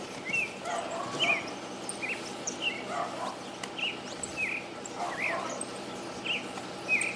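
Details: Urban creamy-bellied thrush singing despite city noise from trucks, people and dogs: a run of brief whistled, slightly buzzy notes and phrases, spaced under a second apart, over a low rumble of city background sound.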